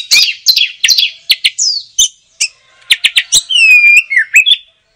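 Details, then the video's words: Lively, chattering song of an oriental magpie-robin: a string of harsh, buzzy notes and sharp chips, ending in a long clear whistle that falls and then rises again. "Suara Kicau Burung Kacer - Ngoceh Gacor"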